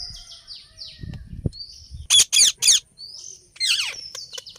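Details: An Indian ringneck, a Rose-ringed parakeet (Psittacula krameri), gives short, falling whistled chirps, then three loud, harsh screeches in quick succession and a grating, downslurred call, over faint low rumbling.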